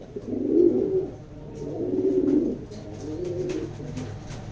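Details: Racing pigeons produce two strong, deep, throaty coo phrases, then a softer fading third, each a warm rolling murmur lasting about a second.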